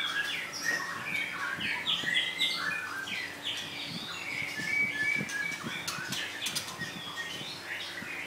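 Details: Female White-rumped Shamas, a pair caged together after completing their molt, not yet in form: busy stream of quick chirps, short whistles and twittering notes overlapping almost continuously, with light thuds of movement in the cage.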